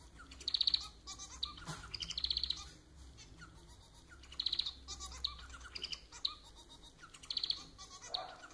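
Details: Domestic society finch (Lonchura striata domestica) song: repeated bursts of high, buzzy trilled notes interleaved with softer chirps and squeaks. A louder buzz returns roughly every one to two seconds over a noisy hiss.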